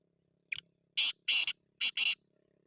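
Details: Captive grey francolin of the Babu Sindhi type, a chakri-style caller said to give 270 calls a minute: harsh, buzzy notes, one short opening note followed by two pairs of longer grating notes, quiet background.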